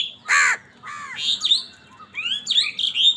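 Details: Angry crows squabbling over food: one loud, rasping caw, then a jumble of higher, rising squealing cries overlapping one another.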